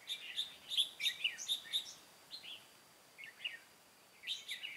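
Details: Red-whiskered bulbul decoy from Cao Phong, kept in a trap to call in wild birds, 23 August 2018: rapid series of sharp, bright whistled notes, about eight in the first two seconds, then a brief lull and renewed chirpy bursts.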